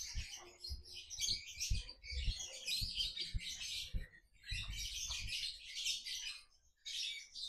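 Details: Young male lovebirds kept together in one enclosure, not yet paired because their character is unknown, chirping in dense, busy bursts of high chittering notes with brief pauses, over low knocking and thumping sounds from the cage.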